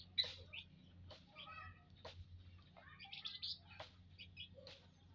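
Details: Aviary munias, 19 April 2025, give scattered high chirps and brief twittering phrases, some in quick doubled notes, among occasional clicks and a low background hum.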